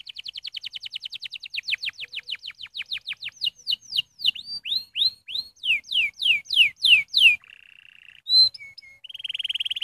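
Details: Canary stimulating song featuring the tour called 'walnoten', meant to quickly stimulate young birds: a fast series of descending whistled sweeps, about three per second, then fuller swooping notes, a brief flat buzz and a closing high, even trill.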